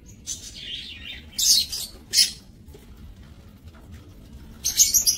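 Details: Lovebirds in an aviary bred in captivity, 30 May 2024: a wavering shrill chirp, two sharp harsh bursts, then a final burst of raspy squeals after a pause.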